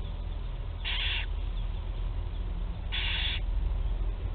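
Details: Young barn owls begging during their first feeding on 8 July 2020 at Théding, France. Two rasping, breathy hisses about two seconds apart stand out against a constant low hum.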